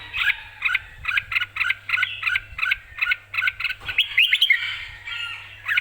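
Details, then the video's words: Excited red-whiskered bulbul singing clearly, a fast series of short chirpy warbled phrases that turns into a denser, rising jumble of notes near the end, over a faint low hum. "คึก สด พร้อมบวก #เสียงนกกรงหัวจุก #นกกรงหัวจุก ร้องชัดจัดเต็ม"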